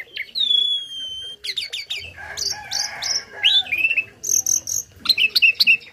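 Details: Tame Asian pied starling singing as a tutor for other birds: a long clean whistle that falls slightly, then a dense medley of buzzy, chattering and slurred whistled notes, with quick high chirps toward the end.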